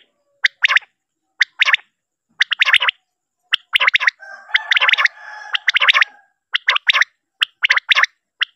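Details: Common quail (batair) sound used as a lure for night hunting and netting: sharp, liquid three-note calls, about one group per second, with a brief rough buzzing noise in the middle.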